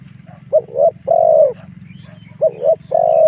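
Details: Spotted dove lure call aimed at drawing wild doves into fighting: two phrases of double short coos leading into a long sustained coo, over a pulsing low background hum.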